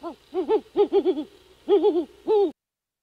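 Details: Great horned owl calling at a nest cam in an old bald eagle nest high in a dying pine, Skidaway Island, Georgia, while the second owlet hatches; loud, close hoots in uneven clusters of two to three, slightly wavering in pitch.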